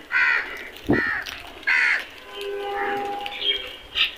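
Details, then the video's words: Crows in a flock calling as they eat: several hoarse, rasping caws about a second apart, overlapping with a sharp knock and fainter cawing and chatter from other birds in the background. "Flock of crows beautiful sound effect"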